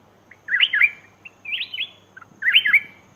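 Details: Lure call of a black-crested bulbul: three rich warbled phrases of quick rising and falling whistles, spaced about a second apart, over faint background noise.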